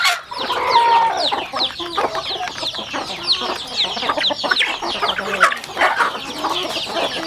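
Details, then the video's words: Home chickens feeding on a rural farm; repeated shrill falling peeps from many birds, interspersed with soft tonal clucks and rapid pecking sounds. "Yummy sounds chicken eating"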